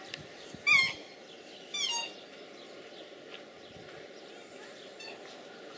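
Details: A black swan pair in Germany courting in December, keeping the timing of their Australian homeland and synchronising behaviour before pairing. Two short, high, harmonic-rich bugling notes about a second apart, followed by faint softer notes over a steady hiss.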